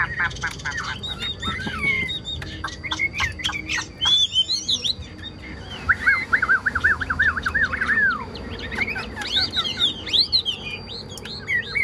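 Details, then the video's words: Chinese hwamei in full song: rapid clicking notes, then looping whistles and a long series of quickly repeated bouncing whistled phrases, ending in high rising and falling slurs, over a faint background hum. "Ngũ trường cao cầu chim hót rất tốt, đầu mặt đẹp | Họat Họa Mi"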